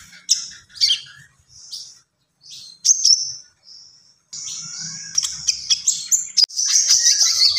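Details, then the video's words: Common iora (konin) in gacor singing: scattered high chirps and a few short clear whistles, then from midway a dense, unbroken run of high chattering and trilled notes. "SUARA BURUNG KONIN GACOR"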